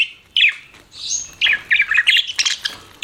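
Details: Budgerigars calling in quick chirps: an opening squeak, a thin whistled note, then a rapid string of short, burry chirps and chattering trills.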